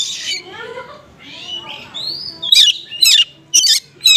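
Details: Konslet oriental magpie-robin with small-bird material, aimed at drawing response from other magpie-robins: soft slurred whistles first, then a fast series of loud, sharp high chirps about twice a second.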